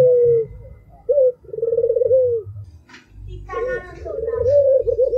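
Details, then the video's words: Song of an albino spotted dove: a falling coo, a short clipped note, then a long throbbing coo, with a brief human voice heard over the following phrase. "SUARA TAJAM !!! BURUNG PUTER ALBINO ll SUARA BURUNG PUTER MERDU"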